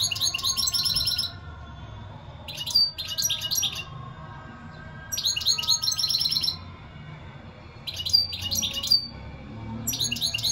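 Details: Repeated phrases of fast, tinkling goldfinch song, each roughly a second long, alternating with brief pauses and occasional single thin whistled notes.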